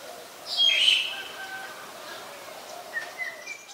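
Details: Black-collared starling, Ubon Ratchathani, Thailand, 25 December 2019: one loud raspy squawk with a whistled overtone, followed by faint distant chirps.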